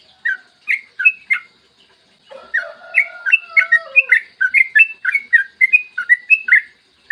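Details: Yellow-vented bulbul in long rapid song, used as a lure for other bulbuls, on a clear morning recording: bubbly chirps with lower, drawn-out whistled notes from another singer underneath midway.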